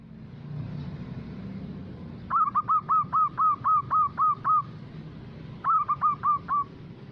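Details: Loud-voiced local zebra dove used as a lure so other doves answer and sing: after two seconds of low background rumble, a rapid burst of about nine short even notes, a brief gap, then four more in the same quick rhythm.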